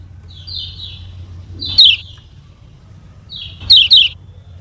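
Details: Lemon-bellied white-eye from Lombok, kecial kuning used to teach birds to sing: a soft descending whistle, then two bursts of sharp high chips about two seconds apart, quiet low background hum.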